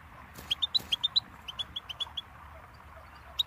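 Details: Goldfinch song: a quick run of about a dozen clear, high chirps, then a pause and one final note, over soft background noise.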